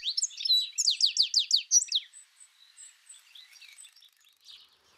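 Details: House sparrow (Passer domesticus), song.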